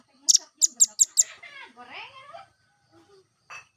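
Velvet-fronted nuthatch: five sharp, very high chips in quick succession, then a burst of lower, slurred descending notes and one last high chip.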